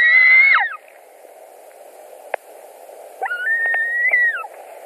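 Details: White-tailed eagle nest in Latvia, evening of 17 July 2020, fish delivery with two birds competing: one short harsh cry fading downward, a quiet gap with a single click, then a longer level whistle that slides down at its end.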